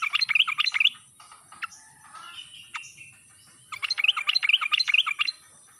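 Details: Wild-style ngalas song of a sooty-headed bulbul used as a lure to get reluctant birds calling: two bursts of rapid, tumbling chirps, each about a second long, with softer notes between them.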